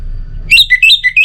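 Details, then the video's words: An Orange-headed thrush kept as a cage bird utters a brief, loud sequence of clear whistled notes that slide up and down in quick succession, with a faint low hum behind. "Obat Gacor Burung ANIS MERAH Buat Burung Yang Lagi Malas Bunyi"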